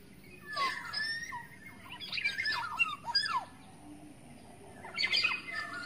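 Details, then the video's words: Wild black-naped oriole from the forest, a lure call: fluted whistled notes mixed with harsh nasal squawks and chattering bursts in three clusters, with other overlapping bird voices. "SUARA PIKAT KEPODANG EMAS ASLI HUTAN"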